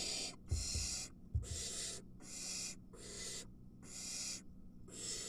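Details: Barn owl at a nest camera with three nestlings as an adult brings a mouse and one nestling grabs the prey: harsh, breathy hissing bursts repeated about every second, with low thumps near the start.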